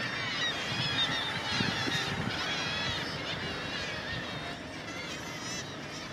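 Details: Dense chorus of an inland Black-legged Kittiwake colony on the Baltic Mill, Gateshead, on the Tyne: many overlapping nasal, wailing calls rising and falling continuously, with a low rumble of background noise.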